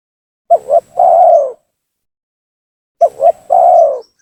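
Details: Spotted dove cooing as a lure call to bring down rival doves: two identical phrases, each two quick clipped notes and a long smooth low coo, about two and a half seconds apart.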